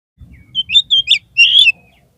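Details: Oriental magpie-robin (kacer) song played as a lure to lift the spirit of a slumping kacer: a short run of clear high whistled notes, several brief rising phrases, then a longer warbled note, over faint low rumble.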